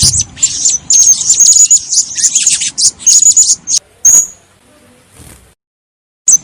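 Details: Chatty female blue-crowned hanging parrot, presented as good breeding stock, giving a rapid run of shrill, squeaky, high twittering notes and short whistles for four seconds, then falling quiet before one final sharp note.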